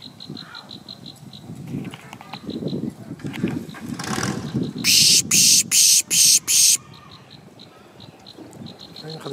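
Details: Plain Prinia (Prinia inornata herberti) in Samut Prakan, Thailand, 4 October 2018, giving five loud, harsh buzzy notes in quick succession after faint, thin, high notes repeated evenly; a low rumble runs underneath.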